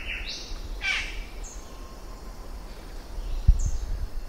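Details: Harsh, grating scold of a Western Parotia, a bird of paradise from the island of Papua: one short rising note, then a loud rasping burst, followed by faint high whistles from other birds over low rumbling background noise.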